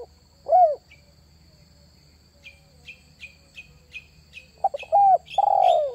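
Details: Spotted dove lure call, one arched coo followed by a quiet gap filled with a small bird's repeated high chirps, then a stuttered phrase ending in a long falling coo, over a steady thin whine.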